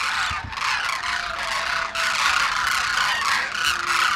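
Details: Large wintering flock of demoiselle cranes in Khichan, India, being fed grain by villagers early in the morning; a constant loud wall of overlapping trumpeting calls.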